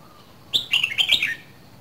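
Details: Red-whiskered bulbul from Dak Lak, Vietnam, aged two seasons, singing a powerful bộng phrase: a quick burst of roughly six liquid, whistled notes, rising then tumbling lower, finished within a second amid near silence.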